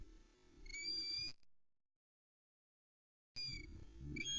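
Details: Female osprey Aila at the Loch Arkaig nest, 11 May 2020, calling impatiently in full voice as the male delivers a trout: high, thin whistled cheeps in two short bursts separated by a silent gap, over low wind rumble.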